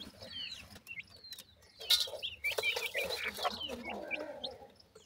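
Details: Teetar chicks fed by attentive parents: quick high peeps and chirps, a brief broadband burst, then a busier run of overlapping cheeps.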